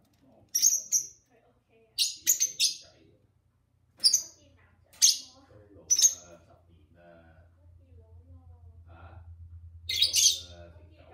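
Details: A pair of pet lovebirds talks and sings with their owner: scattered sharp high chirps, quiet human voice, and a low hum toward the end.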